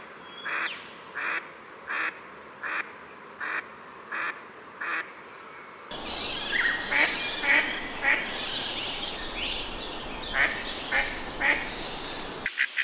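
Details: Pacific black duck: a run of evenly spaced harsh quacks about every 0.7 seconds, then a busier, louder passage of overlapping quacks and chatter with more background noise.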